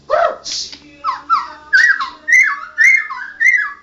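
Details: White-rumped shama, a national champion songbird, singing in the rolling, continuous ngerol gacor style: a run of about eight slurred whistled phrases, each rising then falling, delivered at a brisk and steady pace over a faint low electrical hum.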